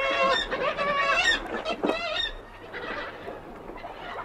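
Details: Two black-legged kittiwakes at a distant Arctic site giving moan, alarm and pre-flight calls: nasal, harmonic, wavering cries in quick overlapping bursts, louder at first and then fading to softer distant calls.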